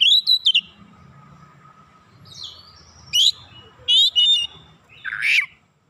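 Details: Kacer singing: an opening string of quick whistles, a soft sliding note, then separated bursts of bright chirps and a final harsher note against a faint low background.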